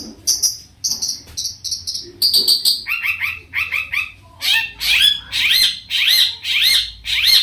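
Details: Long-tailed shrike in full, varied song, used to provoke other shrikes into singing back: high chirps, buzzy bursts, then repeated two-part whistles and rising, arched notes, shifting phrases every second or so.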